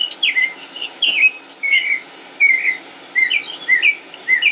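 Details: In Concord, North Carolina, a male northern mockingbird sings in May 2016, giving loud, varied slurred whistles and downward swooping notes in short bursts, the phrase shape changing every second or so, over a faint low hum.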